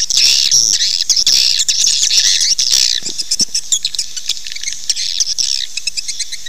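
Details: Swiftlet calls to attract swiftlets to nest: loud dense high twittering for three seconds, followed by quicker clicks and a closing series of short trilled chirps.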